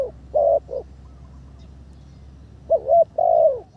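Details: Spotted dove decoy bird in its third training session. Two short coos open, a quiet gap of nearly two seconds follows, then a wavering coo and a longer drawn note.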